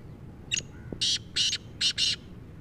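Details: Black francolin, known locally as kala teetar, giving a loud, harsh call of five grating bursts in quick succession, the last two run close together, over a low background rumble.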